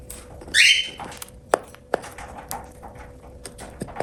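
A cockatiel gives one bright, squeaky chirp lasting under half a second. Soft cracking clicks and a steady indoor hum follow.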